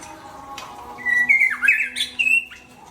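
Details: White-rumped shama (murai Aceh) in strong song: a long, bright whistle dipping and climbing, then loud sweeping slurred notes and a final high whistle, over a faint low hum.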